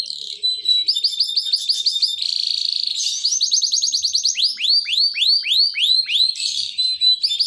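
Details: Canary song used to lure and stimulate other canaries to sing: fast rolling trills, a sustained buzzy section, then a series of loud, sweeping downslurred whistles repeated about three times a second.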